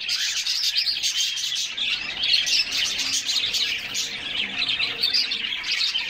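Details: During a summer bath, several canaries chatter and sing in a constant high jumble of chirps and warbles, over a continuous wash of splashing water.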